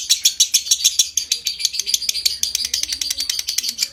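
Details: Lovebird in konslet ngekek, a long trill meant to stimulate breeding condition: rapid, grating, high-pitched notes in an unbroken rattle, a little faster in the second half.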